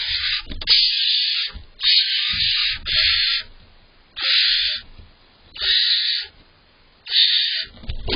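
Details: On July 19th, barn owl owlets tussle over prey delivered by the father, the smaller one pushing to eat; loud hoarse hissing screeches roughly every one and a half seconds, separated by quiet gaps with faint scuffling.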